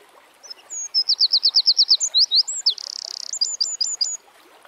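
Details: Loud, high-pitched song of a Eurasian wren outdoors, a string of rapid staccato notes followed by a buzzy rattling trill and a run of short, bright end notes.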